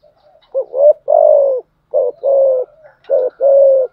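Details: Cooing of a spotted dove used as a lure to excite wild doves and train decoys. Three quick phrases, each a short double note followed by a sustained low hooting coo, repeat at about one-second gaps.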